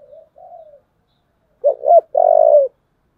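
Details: Spotted dove giving a 'giọng thổ' style fighting call: two soft, low coos, a pause, then a loud stuttering double note running into a long, steady, low-pitched coo. No other sounds.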